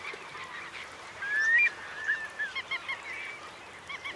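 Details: Roosting Eurasian curlews among roughly 3,000 birds in the Marquenterre wet meadows, Bay of Somme, at high tide, 7 October 2021. A few faint rising whistles, one clearer whistle near the middle, and softer chattering from the flock.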